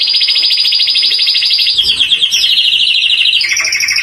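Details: Canary singing in a contest: a long, fast, even trill held high, then a slightly lower rolling trill and a brief higher trill at the close, with no other sounds.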